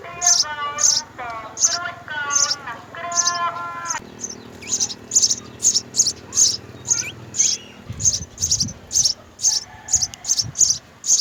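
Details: House sparrow nest with three young being fed by mother and father: several harmonic, ringing chirps open, followed by a long series of shrill begging notes repeated twice a second.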